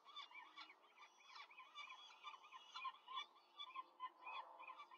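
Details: Rome peregrine falcon family at the nest as the female quickly feeds four chicks, May 2023: a continuous burst of grating, harmonic squeals and rasps, several voices overlapping in quick succession.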